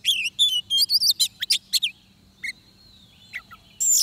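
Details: Oriental magpie-robin during trapping: an opening flurry of descending whistles and harsh notes, then near silence broken by a few soft calls, and a final loud raspy burst.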